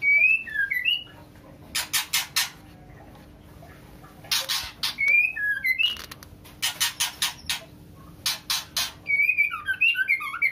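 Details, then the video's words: Calling to a male, a female white-rumped shama in breeding condition alternates bouts of harsh rasping bursts with short phrases of slurred, wavering whistles at the start, middle and end. "Murai Betina Gacor full ngeplong memanggil jantan"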